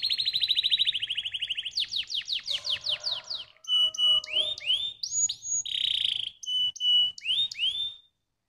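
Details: Canary song meant to stimulate other canaries: a long fast rolling trill, then a shorter descending buzzy series, then sharp rising whistled notes alternating with steady pure tones and a dense burry note.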